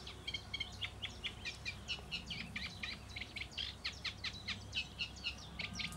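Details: Eurasian reed warbler singing: a continuous, rhythmic chatter of scratchy, churring notes, each repeated two or three times before changing, with occasional sharper whistled notes, over a faint low background rumble.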